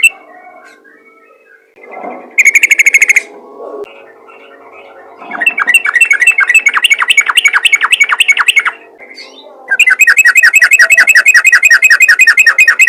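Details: Yellow-vented bulbul calling to other bulbuls: three bursts of rapid, bright chattering notes, about two to three per second, the last two runs long and even, over a faint steady low hum.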